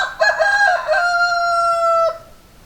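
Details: Single loud rooster crow at close range, beginning with choppy, raspy syllables and stretching into a long, even sustained note lasting about a second before ending sharply, followed by near silence.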